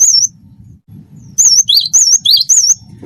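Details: Cinereous tit in wingko style: one lone high wavering whistle, a pause, then a quick run of five looping whistles mixed with lower swooping notes, over a soft low rumble.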